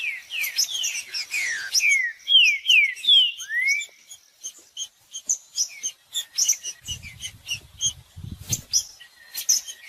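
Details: Green-winged saltator singing, played to warm up a cold bird into song: a phrase of loud, clear whistled notes slurring downward, ending in a rising-falling slur, then rapid high chirps and ticks continue with a few low thumps.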